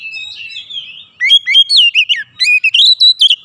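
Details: Oriental magpie-robin (kacer), agitated and pouring out its isian repertoire: a soft warble, then a fast run of loud, sharp whistled notes that swoop up and down in short bursts.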